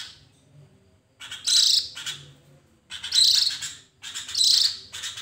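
Javan grey-throated white-eye: three bursts of high, rapid, chattering twitters, each about a second long and spaced a second or so apart, against a quiet background.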